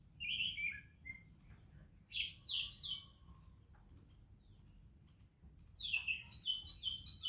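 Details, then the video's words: Oriental magpie-robin in morning song, Indian birds around: a few warbled whistles, then a quiet pause with a constant high insect-like hum, then fast repeated sharp chirps returning. "30 Minutes a ROBIN Chirping in the Morning"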